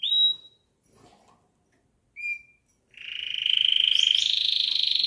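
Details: Domestic canary song, first mistaken for a blackbird: a bright whistled note, a pause, a short upslurred whistle, then a long, loud, fast-pulsed rolling trill that rises slightly and holds.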